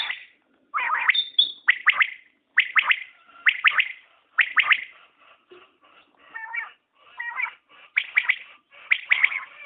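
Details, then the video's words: Common quail calling: crisp two- and three-note phrases repeated roughly every second, with some softer, lower notes in the middle and a brief high whistle at the start. "Batair Ki Awaz | Common Quail Calling| Naye Batair Ki Awaz|New Recording Common Quail| Batair sounds"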